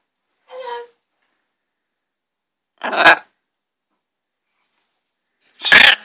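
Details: Green-winged macaw with three well-spaced calls: a short nasal note, then two loud harsh squawks about two and a half seconds apart, each a brief rasping burst over quiet background.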